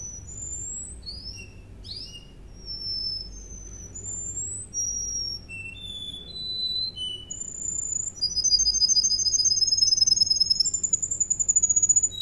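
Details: Russian canary (Serinus canaria) singing for training: a varied run of whistled, sliding notes, then fast trilled rolls of repeated pure tones near the end; a steady low hum runs underneath.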